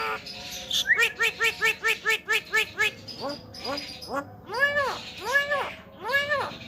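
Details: Javan myna making strange talking sounds: a run of about ten quick, evenly spaced harmonic notes, then slower arched, rising-and-falling voiced calls about every half second.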